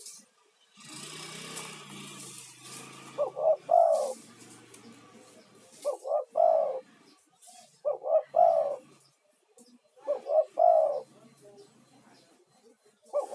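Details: A male spotted dove lure bird calling loudly to attract other doves, played as therapy for stressed caged birds; five soft cooing phrases, a short double note then a rolling coo, repeating about every two and a half seconds.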